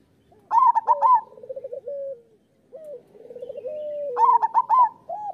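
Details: Zebra dove of local stock in full song, used to coax other doves to sing: two phrases, each a sharp cluster of high coos followed by a rolling trill that slides downward.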